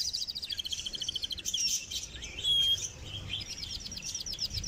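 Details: Canary singing in close-up in North Rhine-Westphalia, Germany: fast, high rolling trills of repeated notes, a brief brighter whistled phrase midway, then looping trilled figures, with little background noise.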